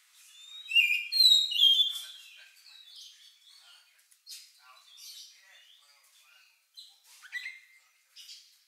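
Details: Oriental magpie-robin singing its unusual lovebird-like song, used to provoke other birds; a loud whistled phrase opens, followed by soft scratchy twitters and a few faint chirps.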